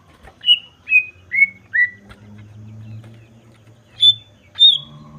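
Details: Greater green leafbird sending out provoking whistles: four clear notes, each slightly lower, about half a second apart, a pause with a low hum, then two higher sharp whistles.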